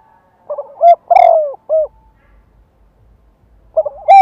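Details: Spotted dove, a lure bird kept to provoke wild birds into singing back, gives loud cooing phrases: short stuttered notes, a long buzzy falling coo, and a clipped final note, the phrase starting again after a pause of about two seconds.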